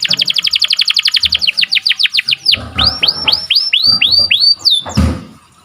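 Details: Atlantic canary, song used for training canaries and triggering singing in breeding birds: a sharp rapid trill of short high notes, then slower, downward-sweeping whistled notes about four per second, ending in a looping sweep and a soft low thump.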